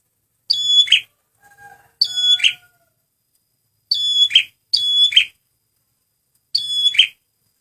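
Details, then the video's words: Red prinia (prenjak merah), male, lure audio: five quick whistle-then-rasp phrases in irregular bursts, with a faint lower tonal note once between the first two. "SUARA BURUNG PRENJAK MERAH PEMIKAT GACORRR"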